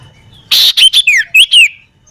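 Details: Common iora in a garden near home giving a lively chattering song: a brief burst followed by five quick high whistled notes, several sliding downward, all within about a second.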